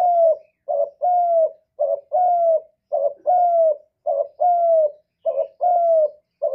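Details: Spotted dove repeating a rhythmic 'một hậu ròng' coo: a short low note, then a long smooth falling note, roughly every 1.1 seconds, six phrases in a row with no other sounds.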